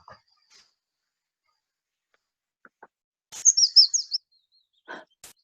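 Willow Warbler giving a brief, sweet phrase of high liquid notes that slide downward over about a second, with a few soft clicks and murmurs around it.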